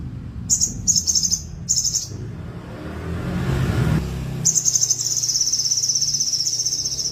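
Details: High rattling trills from a caged, tailless crested jay: three short bursts, a noisy gap, then a long, steady, rapid trill lasting nearly three seconds.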